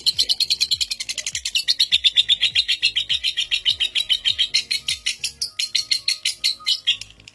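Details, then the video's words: Lovebird from Indonesia, a record holder for the longest non-stop ngekek, seven minutes, used as a master to coax young lovebirds into long ngekek; rapid, high, buzzy pulsed trill that rises then holds steady, over a low thumping music beat. "Pancingan Lovebird NGEKEK PALING PANJANG Pemegang REKOR Saat ini | Ngetik Ngekek"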